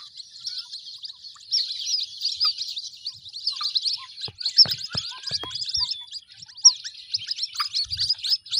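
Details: White-breasted waterhen chicks cheeping nonstop, a fine high chatter of countless short chirps, with scattered clicks and light tapping in the background.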